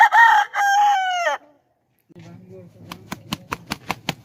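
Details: Aseel rooster gives a strong crow with a short opening note and a longer, slightly sliding harsh tone that stops abruptly. After a pause come a low hum and a series of evenly spaced sharp clicks.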